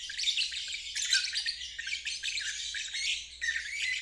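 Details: Lovebird trilling in ngeriwik style for teaching young birds; steady, raspy, high twittering chatter with little break across four seconds.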